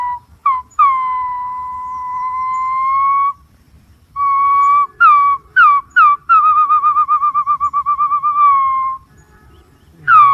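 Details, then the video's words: Green pigeon giving clear whistled notes at one steady pitch: a long held whistle, then short notes that rise at their ends, then a wavering warbled whistle that fades, over a quiet background. "suab nquab ntsuab quaj zoo tiếng cu xanh keu"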